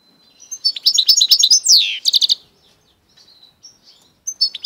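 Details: Goldfinch × canary mule pours out a fast jumble of high chirps and a sweeping downward slur, then falls mostly quiet apart from a few soft high notes and a final short chirp.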